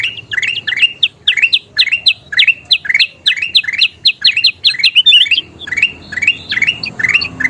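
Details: Kutilang emas (bulbul) singing energetically, used as a training recording for other birds: rapid series of bright, rising whistled notes, some slurred upward, repeated several times a second, with a short pause then more varied phrases.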